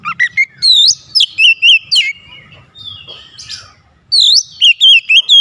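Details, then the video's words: Oriental magpie-robin in a rival challenge, singing loud rising and falling whistles, a pause with faint scratchy sounds, then another fast series of sharp whistled notes. "PANCINGAN KACER LANGSUNG GERTAK LAWAN | LAWAN PUN BALAS GERTAK"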